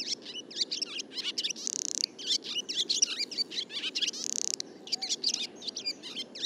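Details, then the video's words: Twittering barn swallow song, rapid, scratchy high chirps strung together, with two harsh buzzing rattles woven into the chatter. "Vogelstimmen: Die Rauchschwalbe - Barn swallow - Hirundo rustica"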